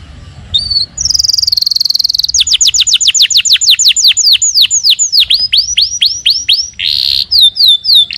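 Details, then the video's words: Canary singing energetically: a rapid series of loud descending whistled sweeps, about three or four per second, after an opening steady trill and buzzy notes, with a short buzz near the end. "Kenari gacor"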